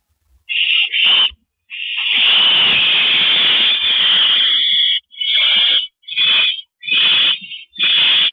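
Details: Owl at a mouse delivery, April 13 2012 at 9:17 PM: harsh, hissing screeches, one drawn out for about three seconds, then shorter rasping bursts roughly every half second, with no other sounds.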